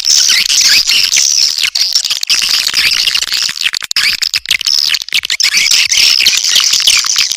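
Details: Lure call of swiftlets. Unbroken high-pitched twittering and buzzy chirps, many voices layered into a steady shrill wash.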